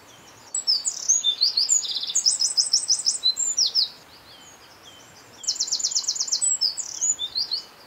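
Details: A Eurasian wren at N49°52' E18°11' sings two loud, rapid, high-pitched bursts of tumbling notes with fast rattling trills, each lasting about three seconds, over faint background hiss.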